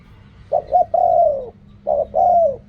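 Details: Two mellow spotted dove phrases in reak kham and khu kham style. Each has short low notes leading into a prolonged coo that sinks in pitch, over a steady low background hum.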